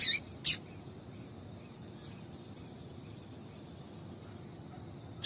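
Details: Female double-collared seedeater calling to stimulate a male; sharp, brief broadband chips near the start, one faint chip at two seconds and another at the end, with soft high whistles faintly in between over steady background hiss.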